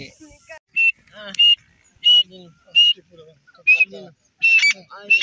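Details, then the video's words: Francolin (teetar) calling: loud whistled notes near the same pitch, repeated roughly every 0.7 seconds, each sharp and slightly harsh, with fainter lower chattering and harmonic-rich sounds between them. "Teetar ki awaaz Teetar sounds Teetar voice"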